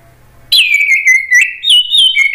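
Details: Orange-headed thrush singing to provoke other thrushes to reply: after a quiet start, a loud continuous rich warble of sliding whistled notes with crisp high chips woven through.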